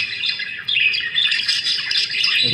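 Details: Budgies seeming to scramble for food, with loud, steady high twittering and squawks. A low thump comes at the end.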